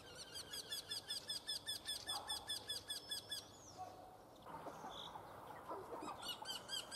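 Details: Eurasian wryneck repeating a long run of about eighteen nasal, rising-then-falling notes at a steady, fast pace. A quieter gap with soft background rustling follows, then the ringing notes resume.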